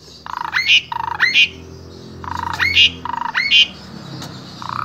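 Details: Asian pied starling from Wonosobo, Central Java, Indonesia, singing vigorously with a full varied repertoire, used as a vocal tutor for spotted starlings. Pairs of harsh buzzy notes each lead into a squawky rising whistle, four phrases in five seconds, over a low hum.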